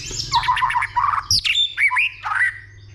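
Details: White-rumped shama roused to fighting song by a female, 'dìu bổi' style, with continuous 'tạch' calls. Harsh, chattering, lower notes give way to looping slurred whistles and a short warble.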